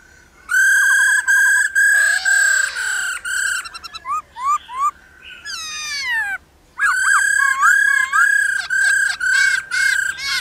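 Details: Female laughingthrush giving 'ro ro' calls to stimulate males into full song: loud, strongly harmonic whistled notes held on one steady pitch, broken by rising and falling slurred whistles, a short rapid trill and a brief pause midway.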